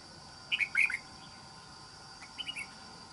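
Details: Caged trap red-whiskered bulbul of island-forest voice sings two brisk, whistled phrases about two seconds apart, the first louder and sharper, over a constant high-pitched insect hum.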